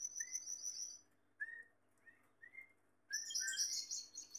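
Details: Gloster canary, a male kept with a female, sings a high sustained trill, then short rising whistled notes, and ends with a louder rolling trill.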